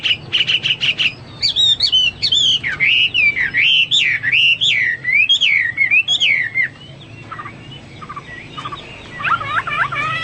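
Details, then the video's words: Opening with a quick stutter of clicky notes, the Hwamei breaks into a chain of loud, swooping rise-and-fall whistles, then softer scattered notes and a closing high twist. "Burung Hoa Mi gacor"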